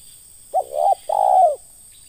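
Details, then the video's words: Spotted dove giving a ngeruk-style call, recorded in the context of dove trapping with a lure: a short hoarse note, then a purring coo, a brief gap, and a longer drawn-out coo that falls at the end, with a quiet background. "PIKAT AJARAN BARU POIN KE DUA, SUARA NGERUK DI BUNGKUS"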